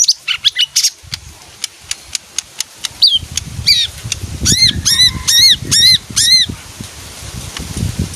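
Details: Leafbird that sings when it hears music and likes bathing: a run of sharp clicks and ticks, then a burst of repeated arched, high whistled notes strung quickly together before a quiet, faintly noisy end.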